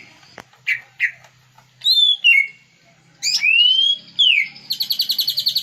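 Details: Green leafbird lure song, meant to draw out a bird's varied song: scattered chirps, then clear slurred whistles rising and falling, ending in a quick rattling series of ticks.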